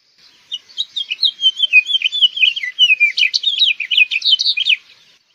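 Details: Loud, sustained House Finch warble of about four and a half seconds, a continuous stream of quick slurred notes that grows brighter and more jumbled toward the end, with faint echo behind.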